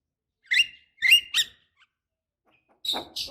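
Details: Javan myna, a female calling a male, used as a lure for other mynas: three harsh, buzzy squawks about half a second apart, then a pause and two higher rasping notes.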